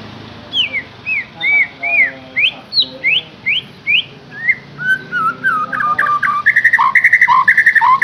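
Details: Murai batu, the white-rumped shama, singing a varied song meant to coax a captive bird into singing: clear slurred whistles rising and falling roughly every half second, moving into lower phrases and ending in rapid repeated chipping notes.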